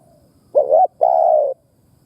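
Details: Decoy spotted dove calling to stimulate other doves, in a mix of urging, cooing and stuttering call styles: a single phrase of a short wavering note followed by a longer, steady, mellow coo. Quiet background.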